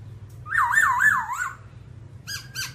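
A babbler gives a loud, wavering, siren-like phrase rising and falling about four times over one second, then two short sharp notes.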